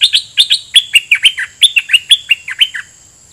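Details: Caged decoy red-whiskered bulbul taken into the forest, singing a doubled song phrase at wild birds: fast, bright, whistled notes, about a dozen in quick succession, dropping and bouncing in pitch before fading.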